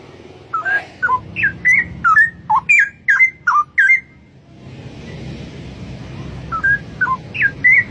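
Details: Straw-headed bulbul in the wild delivering loud, mellow whistled song: a rapid string of slurred, bubbling two-part notes, a pause with faint background hiss, then a few more rising and falling whistles.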